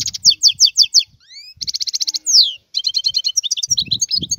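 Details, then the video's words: Wild European goldfinch delivering quick rhythmic chirps, a rising thin whistle, a rapid buzzy trill and a long descending slur, then more tinkling twitters. "اسمع بأذنيك تغريد هذا الحسون البري"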